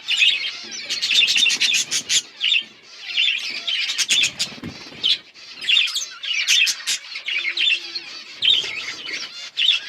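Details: Budgies on October 27, 2023, producing rhythmic bursts of bright chirps and buzzy warbles, each lasting about a second, separated by short pauses, with sharp clicks inside the bursts.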